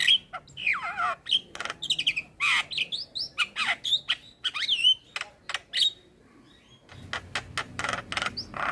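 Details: Adult male Javan myna singing, used to teach a young bird, with a full song repertoire: harsh broadband clicks and chacks mixed with clear whistled notes and downward-sliding squeals, in rapid bursts with short pauses.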